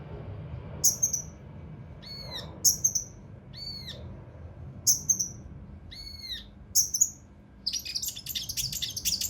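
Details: Mountain leaf warbler, local name cucak rante mas, with rough, tightly packed song for training contest birds: shrill piercing notes alternating with downcurved whistles about every second, then a fast buzzy chatter, faint low hum behind.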